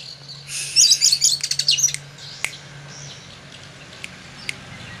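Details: Oriental magpie-robin answering at once to a finger snap with a quick burst of high, twittering chirps for about a second and a half, followed by a few sharp clicks over a low hum.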